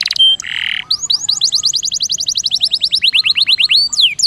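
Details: Lure song of a canary for silent birds: a short harsh burst, then a long series of quick rising-then-falling high notes repeated steadily, ending with a few louder sweeps.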